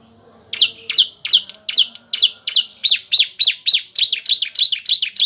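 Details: Bar-winged prinia song, played as a tutor recording for other songbirds: a fast, steady run of about fourteen sharp, high, downslurred chipping notes, each quickly following the last, over a faint low background hum.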